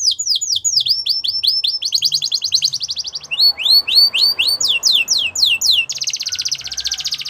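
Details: Russian canary in training-song mode, pouring out quick high slurred notes, a mechanical buzzing roll, then looser sweeping phrases and a final dense rattling trill.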